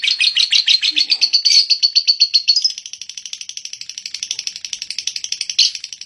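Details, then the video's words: Lovebird in long ngekek song, a continuous fast rattling trill of sharp chirps, louder and slightly rising at first, then a quieter steady stream of rapid pulses after about three seconds, one brief louder burst near the end. "burung love birt ngekek panjang"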